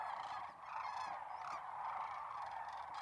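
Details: Dense, continuous chorus of many Sandhill Cranes (Antigone canadensis) in a corn field near North Platte, Nebraska, March 2021, rolling trumpeting calls blending into a steady rattling din.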